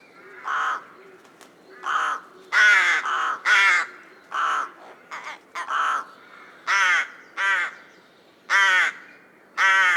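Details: Rook, Corvus frugilegus, recorded in the wild: a run of about thirteen harsh, hoarse caws in ten seconds, some single, some in quick pairs, with short quiet gaps between them.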